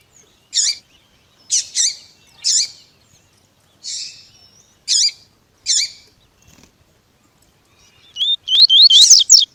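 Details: Double-collared seedeater (Sporophila caerulescens) with a male singing and a female calling to stimulate a male to sing: high, sharp double notes about once a second, ending in a quick run of rising, slurred whistles.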